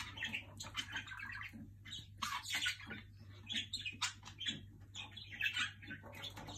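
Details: Jenday conure kept indoors, pestering a companion bird with rapid harsh chattering and rasping squawks that come in quick uneven bursts, over a constant low electrical hum.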